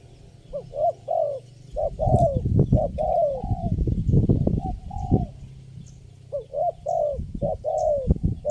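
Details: Spotted dove, the lone calling bird at a trapping spot, responding to lure birds with hoarse arching coos in short runs, partly masked by heavy low rumbling and knocking handling noise in the middle.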